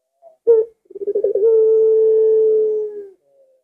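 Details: A puter, or collared dove, gives its signature 'lengkungan' coo: a short sharp note, then a stuttering run of rolling coos smoothing into a single long, even tone that fades after about two seconds.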